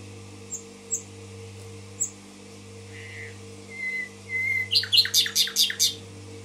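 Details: Common nightingale in Tashkent: a few sharp high ticks and thin drawn whistles, then a loud, fast, rhythmic run of about seven repeated throbbing notes, over a steady low electrical hum.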